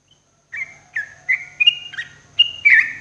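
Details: Morning song of a sooty-headed bulbul used as therapy for caged birds: about six short, clear whistled notes, some rising and some dipping, delivered in an uneven bouncy rhythm over quiet background.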